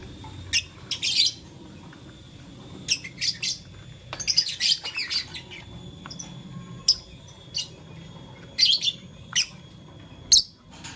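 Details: Playing with a flower, blue, lutino and green lovebirds utter clusters of sharp high squeaky chirps, often in quick pairs or triplets, irregularly spaced over several seconds, against a quiet low hum.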